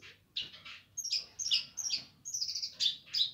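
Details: Streaked spiderhunter singing energetically: a brisk, uneven series of sharp, buzzy high chirps, about two or three notes a second after a brief silent start, with a soft low hum in the background.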